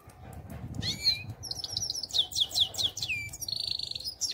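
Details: A European goldfinch sings a quick varied phrase: slurred whistled notes, a string of short repeated chirps, sweeping downward notes, then a buzzy nasal trill, against a low steady background hum.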